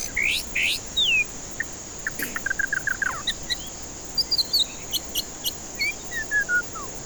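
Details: Varied white-rumped shama song intended to coax a stressed, silent bird into singing: bright slurred whistles, a quick stuttering series of mid-pitched notes, then scattered high chips and descending whistled notes, with a continuous thin high drone throughout.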